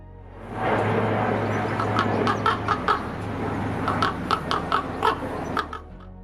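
A common raven gives a short series of harsh, hoarse croaks, several in quick succession, over soft background music.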